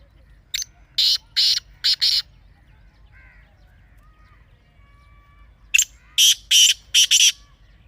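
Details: Harsh call of a partridge, black or desi type: two series of four grating, raspy bursts about two seconds long, separated by a quiet gap holding faint thin whistles.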